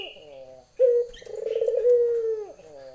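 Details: Female Barbary dove calling a male: one abrupt short note, then a drawn-out low coo that begins rolling and trembling before steadying and dropping away at the end. A brief high chirp sounds beforehand.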